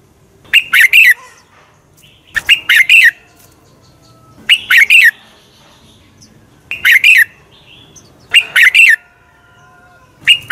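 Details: Red-whiskered bulbul sings a competitive fighting song used to train birds: about six punchy two-to-three-note phrases, bright and slurred, coming roughly every two seconds over faint low background noise.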